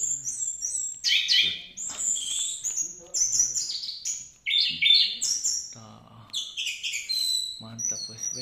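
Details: Orange-headed thrush in teler-style song, a dense run of varied whistles, slurred high notes and rapid chattering fragments, loud and continuous for several seconds with brief pauses and a faint low background hum.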